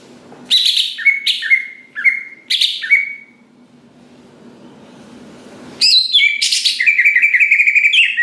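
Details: Greater green leafbird song used to stir other leafbirds into singing: short phrases of a rough buzz followed by a falling whistle, repeated four times, a quiet gap with light background noise, then a dense, fast warbling run.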